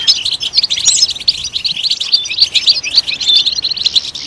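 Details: European goldfinch singing loudly, a recording meant to stimulate other goldfinches to sing: a dense, liquid twittering of quick high chirps and short trills, unbroken throughout.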